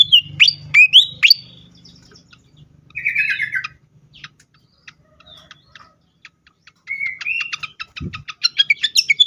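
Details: Agitated fantail, a recording meant to lure and stimulate other birds, gives loud sharp whistled notes, then a scratchy chattering phrase and scattered ticks, ending in a rapid run of clicking notes with a rising whistle.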